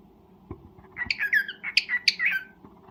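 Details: Breeding cockatiel making a rambling burst of squawky, warbling notes of varying pitch for about a second and a half, preceded by a faint click.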